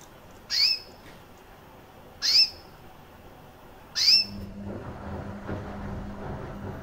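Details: Recessive white female canary, about one year old, with red-factor eyes, kept as a pet, chirping: three short rising chirps, each at a high pitch, spaced nearly two seconds apart, followed by a low steady hum and faint background noise.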